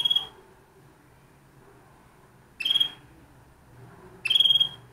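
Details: Spanish Timbrado canary giving three short bright phrases, each a quick burst of fast notes, separated by pauses of about two seconds in a quiet room.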